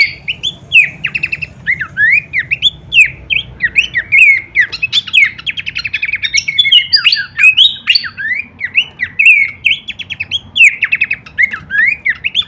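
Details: Horsfield's babbler masteran training song, full variation kleperan style: long sequence of rising and dipping whistled notes mixed with buzzy trills and clicks, sustained throughout, faint hum below.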